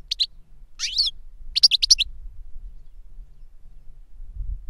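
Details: Captive European goldfinch singing 'reclamo', an adult master that taught a novice bird; three short bursts of high, quick twittering notes in the first two seconds, followed by quiet with only low hum.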